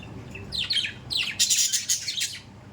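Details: Budgerigars giving loud, harsh squawks and chirps, a falling note followed by a noisy broadband burst, close and prominent.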